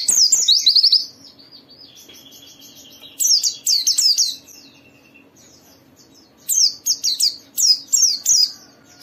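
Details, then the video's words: High twittering song of a white-eye, used to draw other white-eyes into singing. Three loud bursts of quick, sliding chirps alternate with softer scattered notes over a low constant hum. "Suara burung Pleci ini Ampuh memicu semua Pleci cepat Buka Paruh dan gacor"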